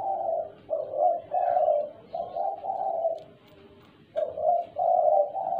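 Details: A tame, much-calling spotted dove (tekukur) gives soft, muffled 'gagap' stuttering coos, broken into uneven segments, over a rough low background rumble, with a brief pause midway.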